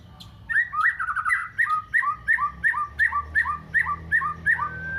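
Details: White-rumped shama with canary song fill: a quick warbled opening, then a bouncy two-note phrase of high and lower whistled slurs, repeated about twice a second for several seconds, over a steady low hum.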